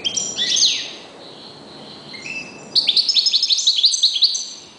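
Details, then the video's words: Reclamo European goldfinch, a kept bird, opens with a sharp down-sweeping chirp, then a quiet pause with soft notes, then a fast bright trill of about a dozen evenly spaced high twitters. "jilguero.uno de mis reclamos"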